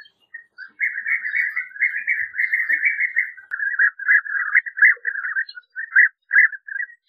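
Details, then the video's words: European bee-eater producing a loud run of burry, trilling notes that blend into a continuous purr, then break into short separate rolled calls near the end. "European Bee Eater Singing, Calling, Chirping, Sound, Voice - Abejaruco Cantando - Merops Apiaster"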